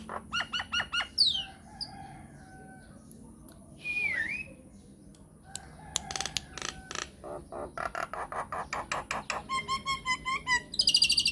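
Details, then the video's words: Lure recording meant to draw replies from all kinds of mynas: rapid clicking and knocking notes, a swooping whistle, then a fast series of rhythmic clicks ending in a shrill burst. "PANCINGAN / MASTERAN SAKTI UNTUK SEMUA JENIS JALAK, JALAK APA SAJA AKAN NYAUT | MYNAH BIRD"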